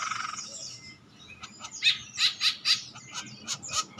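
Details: A male green woodpecker gives a brief chattering phrase, then a run of six or seven sharp, high, clipped notes about three per second; faint low background hum.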